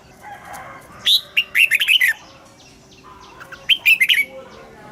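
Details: Red-whiskered bulbul kept in a cage sings its morning song in the double-note 'già rừng' style. Two quick phrases of clear, warbling whistles are separated by a short lull, over a low steady hum.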